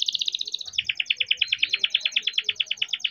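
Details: A young canary raised in captivity rolls out a lure song for other canaries: a very fast, even, pulsing trill that shifts to a slightly lower, buzzier rhythm partway through, with faint low noise behind.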